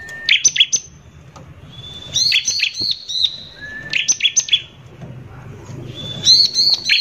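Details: Persistently singing bar-winged prinia in harsh lure style to rile other prinias: short bursts of quick, high, bouncy notes, each led by a long thin whistle, repeated about every two seconds.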